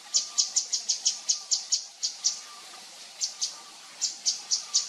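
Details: Javan fulvetta in the wild, giving a rapid run of thin, high-pitched chips, then shorter groups after a brief gap, against constant background hiss.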